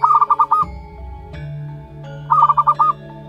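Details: Month-old zebra dove chick from local wild stock: two quick bursts of five staccato notes on the same mid pitch, separated by under two seconds of background music.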